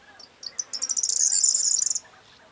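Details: Corn bunting recorded on 4 June 2022 giving its song: a few separate high ticks that speed up into a dense, jangling, buzzy rattle lasting about one and a half seconds, then stopping abruptly, with a quiet background.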